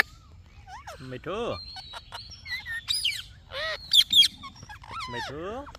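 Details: Indian ringneck parakeet mimicking speech: rising arched syllables, a thin steady whistle, and bursts of harsh sharp notes separated by brief gaps.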